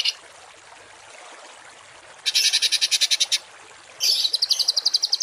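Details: Harsh masteran songbird phrases for tutoring cage birds: quiet at first, then two dense buzzy bursts of rapid even pulses, each lasting about a second, the second thinner and higher.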